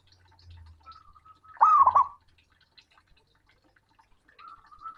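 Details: Male zebra dove calling to a rival with a loud, booming coo: one rolling, bubbling phrase of quick pulsed notes, between faint steady whistled tones.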